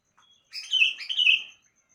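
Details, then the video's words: In the morning a sooty-headed bulbul delivers a double phrase, two bubbly whistled sections run together over about one second, preceded by a couple of faint soft notes; no other clear sounds. "Kicauan Burung kutilang Di Pagi Hari"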